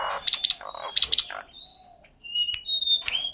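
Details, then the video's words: Common myna giving harsh, scratchy double bursts, then clear thin whistles and a couple of sharp clicks with short whistled notes. "suara asli common myna/jalak/Tiong/gembala kerbau"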